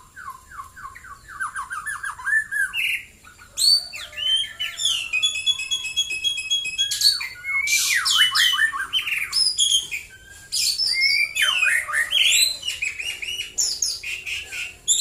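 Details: White-rumped shama singing at length in the morning near Prambanan, Central Java. Rapid, very varied phrases mix fluty whistles, descending slurs, rattling high trills and buzzy notes, flowing almost without a break.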